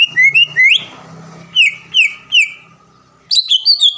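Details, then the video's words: Caged greater green leafbird from Palembang, a contest champion, giving loud upslurred whistles and a few spaced falling notes, then a burst of high twittering. "MASTERAN CUCAK IJO GACOR SPEK JUARA DENGAN ISIAN ISTIMEWAH NEMBAK PEDAS DAN RAPAT"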